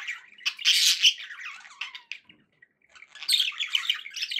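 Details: Pet budgies singing inside, a loud burst of buzzy chatter and squeaks, a quiet lull mid-clip, then more rapid warbling.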